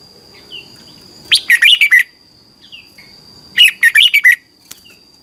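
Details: Thai red-whiskered bulbul training song, played daily so caged birds copy it: two bursts of five or six fast, sweet, looping notes about two seconds apart, with soft single notes between and a steady high hum.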